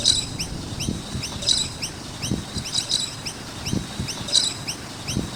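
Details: Noisy miner birds near a skate park keep up busy high chirping, short swooping notes repeated quickly with periodic louder clusters, over low thumps and faint rumble.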